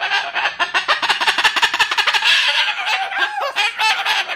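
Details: Bird protesting a cardboard house with strange noises: a rapid, uneven stream of raspy chatter and clucking squawks, some short rising and falling whistled notes near the end.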